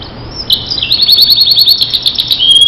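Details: Short burst of Starblue canary song for training canaries, a swift even trill of high repeated notes after a soft opening, ending on a pure whistle.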